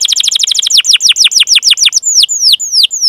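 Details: Canary rolling song used as a lure for young or silent canaries: rapid falling chirps slowing into spaced downslurs, then high thin descending whistles roughly every third of a second.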